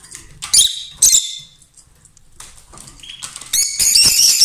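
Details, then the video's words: Loud song from a lovebird pair: two sharp shrill squeaks early, a quiet pause, then a rising run of piercing chatter that becomes continuous and dense toward the end. "Love birds Sound"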